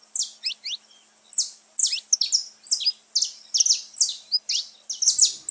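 Saffron finch song: sharp, high chipping notes dropping in pitch, given in quick clusters of two or three, several times a second.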